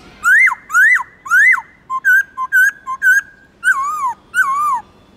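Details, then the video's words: Black-throated laughingthrush singing in many voices, a recording meant to stir other captive birds into song: loud clear whistled phrases, first three rising-then-falling notes, then a run of short level whistles, then two long descending slurred whistles. "Khướu bạc má Hót Nhiều Giọng"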